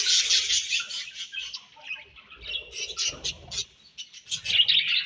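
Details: Chattering budgerigars give rapid, buzzy chirps that fade slightly mid-stretch, then rise again into a sharp, scratchy burst toward the close.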